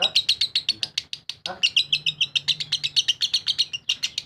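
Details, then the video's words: Lovebird delivering ngekek: rapid, piercing, grating notes in a steady rattling stream, about four per second, with one short break before resuming. "Lovebird RAJA ngekek istimewa"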